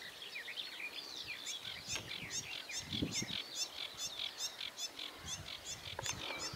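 Sedge warbler giving a fast, scratchy run of varied chattering notes, high and jumbled, with soft low rumbles in the background.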